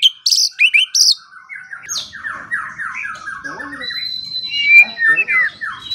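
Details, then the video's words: White-rumped shama song used as morning and evening training material to prompt quiet songbirds into singing: sharp high notes open, then a rapid run of descending slurred notes, closing with bright whistled phrases. "Pancingan dan Masteran Pagi dan Sore Hari Murai Pendiam Langsung Ikut Bongkar Isian | shama bird"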